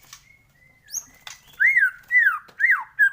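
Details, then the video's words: Murai batu, or white-rumped shama, used to prompt singing in the morning: a few thin, faint notes, then four loud, arching slurred whistles spaced about half a second apart. "pANCINGAN masteran pagi agar MURAI BATU gacor!!!"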